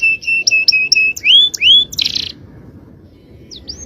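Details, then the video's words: Short burst of male canary song, a tutoring recording: four clear paired whistles, two louder upward-curving notes and a harsh buzzy burst, then near silence with faint swept notes returning at the end. "Aksi Kenari||Cengkok Jawara||Full Power Canary Action||Cengkok Champion"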